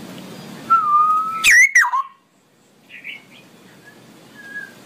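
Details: Straw-headed bulbul in long ropelan song: a steady clear whistle gives way to a loud, sharply swooping, bubbling phrase, then a pause and soft, thin warbles.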